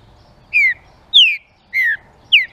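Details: [['Song of a green-winged saltator, used to excite other saltators: four clean whistled phrases falling in pitch, separated by short pauses, with a faint low hum underneath.']]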